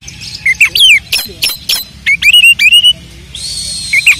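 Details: An Oriental magpie-robin, a kept bird in Pemalang, Central Java, Indonesia, sings a varied run of clear whistles, slurred notes and sharp chips.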